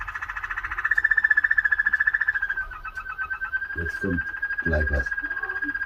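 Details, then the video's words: A Waterslager canary sings a long, low, bubbling roll of rapid pulses that wavers slightly in pitch, with a few dull thumps near the end. "waterslager canary | Canary Sounds.."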